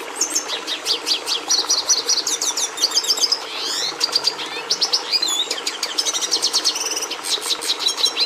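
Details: Long, lively Red siskin song, from the species through which breeders brought red pigmentation to the domestic canary: rapid high twitters, fast descending trills, buzzy rattles and sweeping slurred notes, nearly unbroken for eight seconds.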